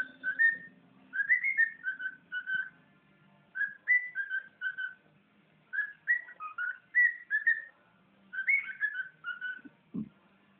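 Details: Pet bird whistling: clear mid-pitched whistled notes in short rising and falling phrases, grouped in bursts of three to five notes with brief pauses, plus a faint low hum in the background.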